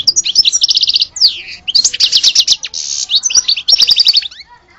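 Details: Nearly continuous song from a European goldfinch called the true one of Alge: bright tinkling twitters alternating with fast rattling trills of evenly repeated notes, one swooping downward slur among them.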